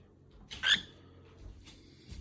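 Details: Pet cockatiel in the morning, going upstairs to wake its owner after pooping; one loud, harsh, harmonic chirp lasting a fraction of a second, then faint rustling and soft thumps in a small indoor room.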